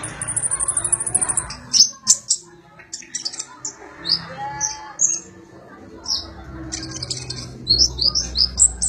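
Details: Sunbird, known as konin or kolibri ninja, kept to teach magpie-robins its song: a fine high trill opens, then scattered sharp ticks and sweet rising chirps, closing with a rapid squeaky burst, all over low background rumble.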